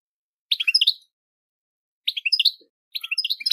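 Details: Goldfinch song used to train caged birds to sing with motivation: three short bursts of bright, rapid twittering notes, each under half a second, separated by silent gaps of about a second.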